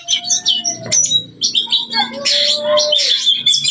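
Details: Oriental magpie-robin in full loud song. Rapid high chirps and buzzy bursts mix with a steady lower whistled tone and short pauses between phrases. Faint low sounds sit in the background.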